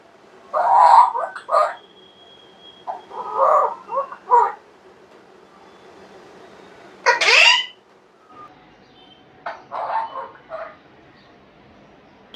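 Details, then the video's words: Moody caged Alexandrine parakeet talking indoors: bursts of speech-like syllables in short phrases, then a sharp harsh squawk near the middle, followed by further softer chattering phrases. "#parrot says Allah hu Akbar"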